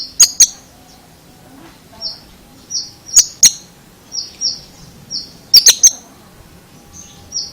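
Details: Oriental magpie-robin in an unusual vocal display: short, steady high whistles repeated about every half second, broken three times by pairs or triplets of sharp snapping clicks.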